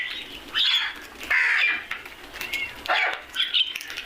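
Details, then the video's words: Crows calling: about five harsh, hoarse, slightly downward-curving caws spread over four seconds, with quieter chatter between them. "Crows are crowing and making noise"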